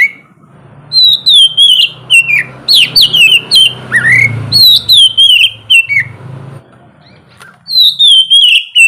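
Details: Morning song of an oriental magpie-robin (kacer), played to prompt lazy birds to sing: rapid series of bright, falling whistled notes, about three a second, with one rising sweep midway and a brief pause before the last run.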